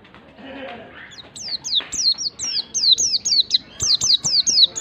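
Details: White-eye song used to goad a lazy bird into singing: after a soft murmured start, a long steady series of high, sharply dropping whistled notes, about two per second.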